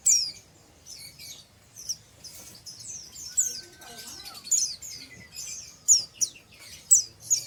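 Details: Untrained oriental white-eye in ngeriwik chatter: scratchy high twitters building to louder sharp chirps, with a long steady mid-pitched whistle and faint low sounds in the middle.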